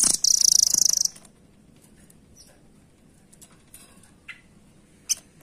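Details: A single long, high, rapidly pulsed chattering trill lasting nearly a second from a velvet-fronted nuthatch (rambatan), then near silence broken by a few faint clicks and chips.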